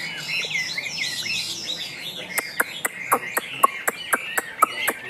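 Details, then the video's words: Chinese hwamei, Tam Hoàng type, kept caged: a soft jumble of whistled phrases, then a regular string of loud sharp clicks about twice per second. "Họa Mi Tam Hoàng - Hót Cao Cầu"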